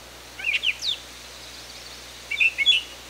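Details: Wild brown thrasher in Canada giving two short bursts of sharp, chirpy high notes about two seconds apart, each a quick cluster of clipped slurred whistles over a quiet background.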